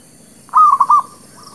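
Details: A single clear phrase from a local zebra dove, recorded as a trapping lure and for new birds: a brief, mellow, stuttering coo of four quick notes lasting about half a second.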